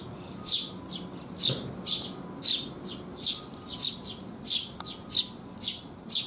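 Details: A flock of sparrows coming for food in the rain, June 2021, repeats bright, high chirps at a fairly even pace, about twelve in six seconds, with one faint knock.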